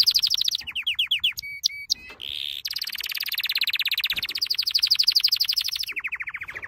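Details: Canary training song mixing fast trills, pure whistled notes and a brief buzzy burst, followed by a long, high rolling trill that drops into a lower series of repeated chirps.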